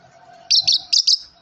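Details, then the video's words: Yellow lovebird, a caged pet bird, giving four sharp high chirps in two quick pairs, each a bright buzzy note, over a faint low hum. "Lovebird yellow chirping sound"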